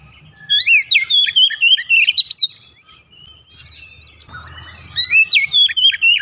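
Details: Oriental magpie-robin (kacer), a kept bird, singing fast gacor song. Two loud bursts of quick whistled phrases mix upslurred notes, trills and chatter, with a softer lull between them and a brief scratchy noise in the pause.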